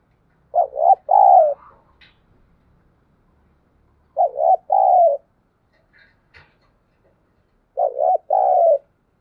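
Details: Spotted dove giving 'thúc gù' and calling coos in the pale early morning, meant to get newly caught birds cooing: three evenly spaced low phrases, each a stuttering double note and a longer falling coo, with faint clicks between.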